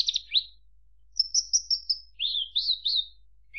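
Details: Brief Javan bush lark song: a quick sliding chirp, then a run of high clear notes followed by lower rolling, wavering whistles.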